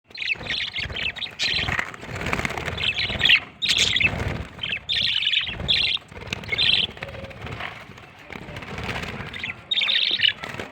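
Budgerigars chatter in quick, scratchy chirps and warbles, broken by brief pauses.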